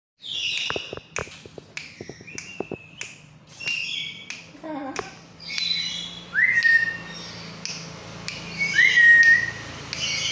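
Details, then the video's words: Tame, chatty black-capped lory that also talks, calling in a room: a run of harsh, short broadband squawks, then two clear rising-then-level whistles near the end, with faint room noise. "Burung Nuri Jinak Total Rajin Gacor Juga Ngomong"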